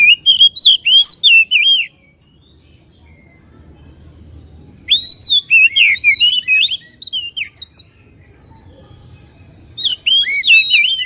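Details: Provoking white-rumped shama song for stirring a caged bird to sing and open its tail: three separate bursts of rapid, ringing whistles and sharp, slurred notes with quiet gaps of a few seconds between them.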